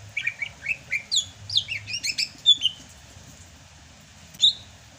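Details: Rainy-season song of a Sumatran greater green leafbird, quick rising chirps and high slurred whistles in a jumbled phrase, then a pause and one sharp note.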